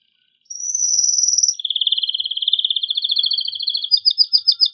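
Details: A male canary in vigorous, excited song to prompt mating. A high steady trill gives way to a long low rattling trill, then rapid louder looping notes; no other sounds.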